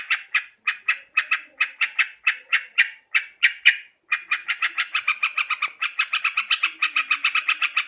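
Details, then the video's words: Yellow-vented bulbul sound for luring birds into traps: evenly spaced, scratchy notes at first, then a quicker, denser chattering run with faint background noise. "Suara trucukan khusus buat mikat"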